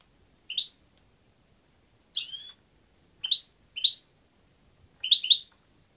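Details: Five brief, high chirping bursts from a European goldfinch: a slurred buzzy note, then crisp single chips and a final tinkling double-note cluster, all spaced by quiet pauses.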